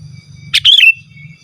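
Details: Sooty-headed bulbul, song used to call wild birds and tutor captive ones: a single brief phrase of a sharp note followed by a bubbly falling whistle, with a faint low hum.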